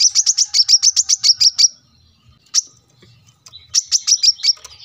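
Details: Coconut hummingbird (sunbird) singing energetically, recorded as a training song for cage birds at a roadside house; fast runs of high sharp chirps repeated about seven per second, a pause with a single note, then another rapid run.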